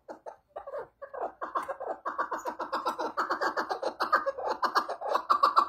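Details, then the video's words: Chukar partridge giving a fast, accelerating series of throaty chuck notes, starting sparse then settling into a steady rapid chatter near four notes per second, growing louder toward the end. "Muhteşem Keklik Sesi | Süper Keklik Sesi"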